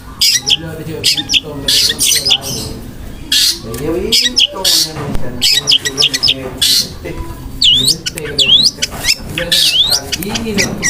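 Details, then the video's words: Long-tailed shrike song of harsh fillers and shot-like rapid notes, isian kasaran and tembakan roll speed. It runs as a long stream of scratchy chatter and rasping bursts, then sweeping upslurred whistles near the end, over a low hum. "BURUNG CENDET GACOR MEWAH ISIAN KASARAN DAN TEMBAKAN ROLL SPEED"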